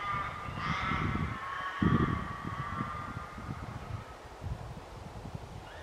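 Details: Australian Raven gives a drawn-out, nasal, wailing caw lasting a few seconds, over the roar of wind in the branches, in Nowendoc State Forest, a logging forest off Thunderbolts Way, New South Wales; Yellow-tailed Black Cockatoos also present.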